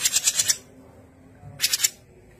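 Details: Grey-cheeked bulbul (Alophoixus bres), song: a burst of four quick, harsh, scratchy high notes, a short pause, then three more.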